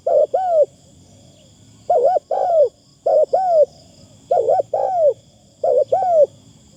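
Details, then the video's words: Spotted dove kept as a decoy for luring, voice light and pleasant, giving a steady run of cooing phrases about every second: quick double hooked notes then a longer downslurred coo. "ต่อนกเขาใหญ่ เสียงดีมากคารมบางๆฟังแล้วเพลิน"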